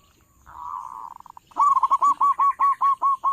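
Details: Local zebra dove with a strong voice, kept as a trapping lure: a soft, purring note slows into separate pulses, then a fast, regular run of about ten loud hooked coos.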